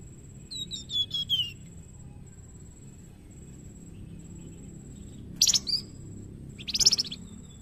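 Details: Young golden whistler singing as a master song for training birds: a quick descending whistled phrase, then after a pause two short, harsh, buzzy bursts, over a steady high-pitched whine and a low rumbling hum.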